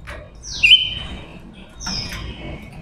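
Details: Female decoy silver-eared mesia singing to lure wild males: two high, clear whistled notes, the first a long sustained tone with a wavering start, the second a shorter bright whistle after about a second, over quiet background.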